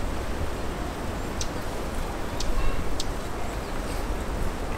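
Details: A dusky warbler, a rare passage migrant in Japan's Kanto region, gives a few hard, dry 'chak' call notes at irregular intervals, about four in five seconds, over a steady low rumble of wind or traffic.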